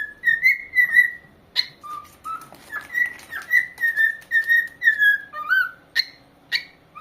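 A corella whistles a tune of clear, sliding notes, roughly two per second, each rising or falling, with a few sharp clicks between them.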